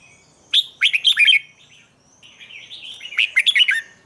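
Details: Red-whiskered bulbul morning training song: two bright phrases of fast, fluty warbled notes rising and falling, the second opening with a drawn-out whistled note, in quiet surroundings.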